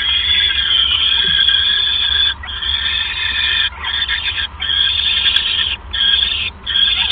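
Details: Owl during a nighttime mouse delivery from a male to his mate, 28 January 2015. Long, harsh, hissing screeches last one to two seconds each, with brief pauses between them, over a low hum.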